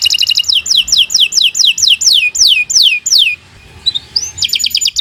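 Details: Tutor canary for training young songbirds, giving about ten loud downward-sweeping whistled notes at a steady pace between brief trills, a quiet gap with faint chirps, then a renewed fast high trill.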